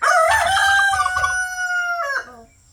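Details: A pastured rooster gives one loud, harmonic crow lasting about two seconds, a rough opening then a long held note that drops off at the end.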